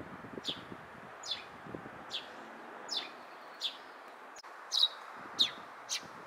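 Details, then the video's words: Eurasian tree sparrow in Japan, recorded around midday on 25 April 2023, gives sharp, high chirps that each drop quickly, repeated roughly every second, over a soft rustling background murmur. "スズメの鳴き声 sparrow"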